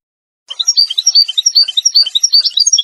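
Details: A Moroccan Wedani European goldfinch sings to tutor chicks. After a brief silence comes a steady stream of bright, bubbling twitters, alternating higher and lower notes.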